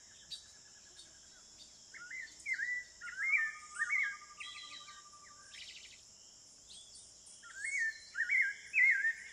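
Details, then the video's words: Spectacled thrush, sabiá caraxué, singing in the wild at Serra do Navio, Amapá, in the Amazon rainforest of Brazil: clear whistled phrases of rising and falling notes in bursts, over a steady high insect drone. "O canto do sabiá Caraxué | The song of the Spectacled Thrush (Turdus nudigenis)"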